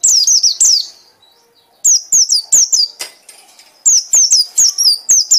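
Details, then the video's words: White-eye singing loud, chattering phrases of high, falling chirps in rapid runs of three to five notes, with brief silent gaps between bursts and a few soft rustles. "pleci anda akan ngekek ngekek keras"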